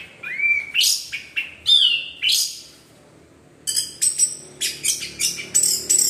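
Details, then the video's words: Orange-headed thrush, a caged songbird, singing a lively teler-style song used to prompt other birds to sing: loud rich whistled phrases with rising and falling slurs, a short pause, then rapid bright repeated notes. "PANCINGAN ANIS MERAH GACOR TELER"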